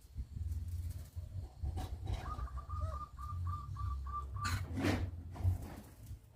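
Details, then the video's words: Local zebra dove in full voice: a fast run of about nine short, clipped, evenly spaced mid-pitched coo notes across two seconds, one lower note slipped in early, over a steady low rumble and a brief burst of broadband noise afterward. "PERKUTUT LOKAL GACOR"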